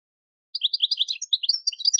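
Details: European goldfinch singing for training novice decoy birds: continuous fast high twittering with liquid, tinkling syllables in a steady stream.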